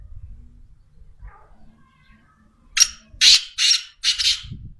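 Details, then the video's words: Black francolin, known locally as teetar, gives a loud grating call of four rasping bursts in quick succession after a stretch of low rumbling background noise. "Black francoline teetar sound"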